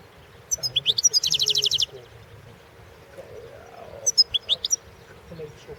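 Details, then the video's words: Competition goldfinch from the 2016 world championship: a short burst of quick, high tinkling notes and a brief trill, a pause with a faint low warble, then another short twittering phrase. "World championship in Goldfinch Song"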